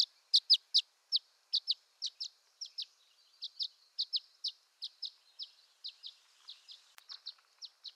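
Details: Violet-green swallow calling in western North America, a long steady run of high, sharp down-slurred chips, frequently paired, fading slightly midway with one brief click.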